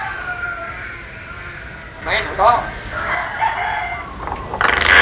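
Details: A talking hill myna that mimics human speech in Vietnamese lets out loud, harsh, voice-like phrases in several short bursts, one resembling a rooster's crow, after a quiet start.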